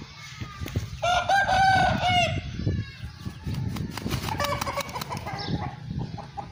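An Aseel rooster gives one hoarse, drawn-out crow of just over a second, level then slightly falling. Softer clucks and fainter calls follow over a rustling background.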